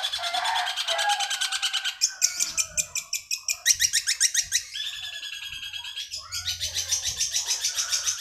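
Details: Long-tailed Shrike kept as a pet, song played to coax a caged bird that has stopped singing; fast scratchy repeated notes run together in chattering trills, changing phrase every second or two without break.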